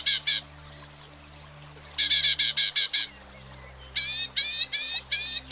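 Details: A Northern Mockingbird (Mimus polyglottos) sings bright, harsh, ringing notes, each phrase repeated in quick runs of two to six before switching. A faint low hum sits beneath.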